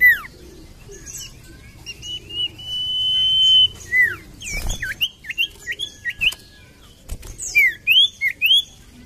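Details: Common iora (Aegithina tiphia) song used to prompt reluctant birds to sing: a long, drawn-out high whistle, then a run of short rising and falling whistles and chirps, with a couple of sharp knocks.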